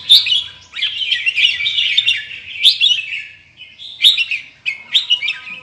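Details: An Indonesian red-whiskered bulbul with large red cheek patches sings a rich, warbling run of bright whistled phrases, with sharp upward flicks and bubbling trills between short pauses.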